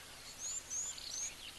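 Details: Waxbills calling at an African waterhole pond with impala nearby on 3 March 2024: very high, thin squeaky whistles, three short slightly rising notes about half a second apart, over a soft outdoor hiss.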